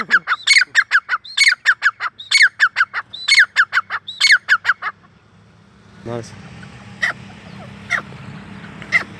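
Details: Grey francolin, known locally as Sindhi teetar or Irani teetar, calling: loud, harsh, rhythmic phrases of several clipped notes repeated about once a second for five seconds, then a quieter stretch with a low hum and scattered sharp clicks.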